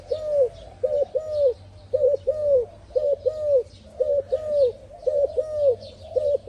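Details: Low, rounded coos of a spotted dove repeated in quick pairs and triplets, steady and unbroken, with a constant low hum beneath and faint high chirping of small birds.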